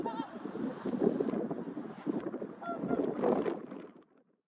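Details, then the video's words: A flock of whooper swans described as singing and dancing gives overlapping nasal, trumpeting honks, with a few clearer bugled notes rising above a steady murmur of calls before fading out. "큰고니가 노래하고 춤추고 있다 Whooper Swans Singing And Dancing"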